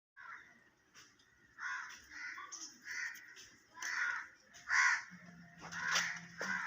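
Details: A talking parrot producing a series of harsh, raspy, speech-like syllable bursts, each about half a second long, spaced irregularly, with a faint low steady hum near the end.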